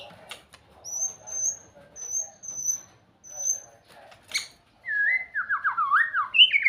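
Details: White-rumped shama singing sweetly: three thin, very high drawn-out whistles, a sharp click, then a lively run of lower whistled notes zigzagging up and down.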